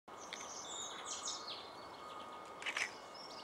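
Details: Male Eurasian siskin gives thin, high twittering notes with a brighter chirping burst near the end, over a steady background hum.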